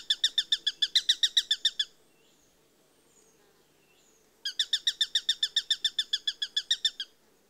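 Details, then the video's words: Eurasian sparrowhawk giving two bursts of rapid, harsh, evenly spaced kek notes, about seven per second, each run lasting roughly two seconds with a quiet pause between; faint low background hum throughout. "Sparrowhawk Bird Call"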